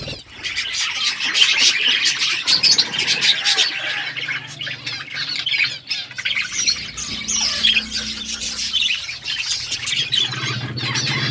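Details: Several budgerigars chattering in the morning, a steady stream of rapid warbled chirps, squeaks and raspy squawks layered over one another, loud and unbroken throughout with faint low rustling.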